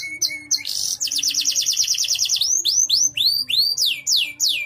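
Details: Canary in full song (gacor), said to be suitable for contests and as a tutor for other birds: short whistles, a quick trill of about fourteen notes, then a string of arching slurred whistles.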